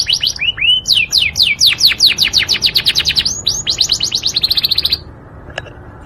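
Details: Melodious Yorkshire canary song: whistled downslurs accelerating into a long, fast, even trill that stops abruptly after five seconds, followed by quiet and a single faint click.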